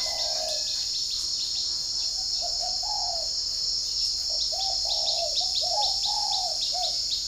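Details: On a morning in Ba Vì, Hanoi, a spotted dove kept in a dove garden coos while wild birds respond. Mellow coos come in quick clusters with short gaps. Fast chirping insects tick alongside a loud, steady high-pitched buzz.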